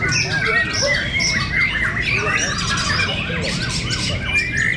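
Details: White-rumped shamas (murai batu) in a fierce fighter contest at Cibinong. Looping, wavering whistles and repeated down-slurred notes intertwine with chatter, with some human voices and low noise behind.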